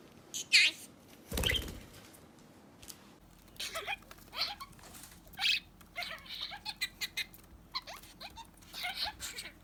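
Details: Pet budgerigar chattering: a string of short, sharp chirps and scratchy warbling notes scattered over ten seconds, with a brief rustling thump early on.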